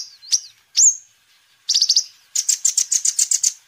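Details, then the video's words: High-pitched sunbird song for luring and tutoring birds: a few sharp downswept and upswept whistles, then a short quick trill and a longer run of evenly spaced bright chips. "Kolibri Ninja Gacor"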